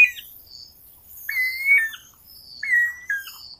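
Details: Guira cuckoo calling: drawn-out whistled notes near one pitch, each ending in a short drop, two phrases about 1.3 seconds apart, with softer high chirps from other birds overhead.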